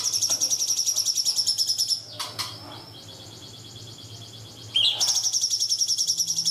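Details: Cungkok song used to train young birds (masteran): a long, rapid, high buzzy trill pulsing about three times a second, broken by a short pause with a whistled upslur, then the trill resumes.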